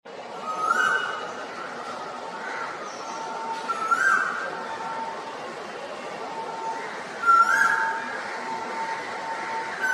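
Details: Male Asian koel singing its "koo-ooo" song in spring, loud rising two-note calls about every three seconds over a steady background hiss and faint hum.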